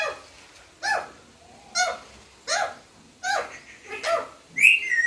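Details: Parrot saying "papa" in mimicry: five separate short, raspy, voice-like utterances spaced about a second apart, ending with a higher, squeakier rising call.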